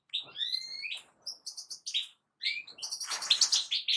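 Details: European goldfinch song: sliding whistled notes climbing and falling, then bursts of bright, buzzy, tinkling twitter separated by short pauses, with a dense, shrill jumble near the end.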